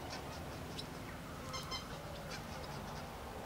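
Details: Common cranes recorded 11/08/12 give loud, rolling, trumpeting calls, several overlapping in quick succession, over a steady low rumble of wind or background noise.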